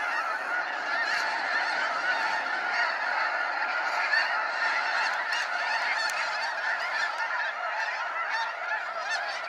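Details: Snow geese streaming out of Sacramento National Wildlife Refuge at sunset; a thick, continuous clamour of nasal honks from a vast flock, loud and unvarying for the whole stretch.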